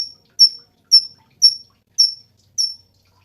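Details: Cungkok song: five sharp, high chip notes at an even pace, about two per second, with faint low knocks in the background.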